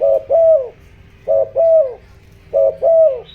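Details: Decoy spotted dove giving a 'giọng đồng' coo meant to excite and attract wild doves. Three phrases of a brief low coo followed by a drawn-out, slightly falling coo, spaced about 1.2 seconds apart, with a quiet constant background hum.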